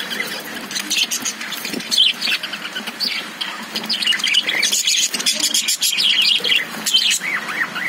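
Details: High twittering and rapid chirps come from caged lovebirds, a busy overlapping chatter with some rising whistled notes near the end.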